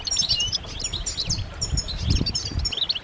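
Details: Several European goldfinches twitter together in mating and readiness calls used to prompt males to sing: quick bright chirps and short trills overlap throughout, with a low rumble underneath.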